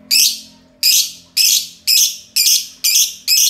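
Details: Green lovebird pair, ngekek session: loud, rasping squawks repeated about twice a second, with a faint low hum underneath.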